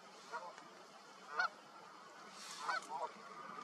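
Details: Canada goose among returning spring migrants settling to nest on a partly thawed lake amid melting snow, giving four nasal, two-toned honks at uneven intervals over a steady soft background hiss.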